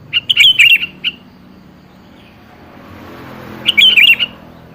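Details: Sooty-headed bulbul song serving as a lure to prompt a reply: a rapid chattering, bubbling phrase, a gap of about three seconds, then a second similar warbled phrase, light low hum behind.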